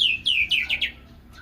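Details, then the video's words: White-rumped shama singing: a quick run of five loud, clear whistled notes, each sliding downward, delivered in just over a second. "Burung Murai batu"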